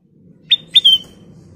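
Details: A Sooty-headed bulbul gives two clear, high whistled song notes, the second longer and slightly falling, over a faint low background hum.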